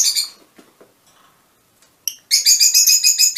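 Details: Mutation Fischer's lovebirds: a brief shrill chirp, a quiet gap with faint soft sounds, then a rapid string of piercing high chirps repeated several times a second.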